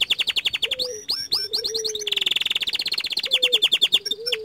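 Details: Young canary in full song. Rapid chopped trills run alongside low, sliding, drawn-out whistles, then a long, dense, buzzy roll and more quick repeated notes.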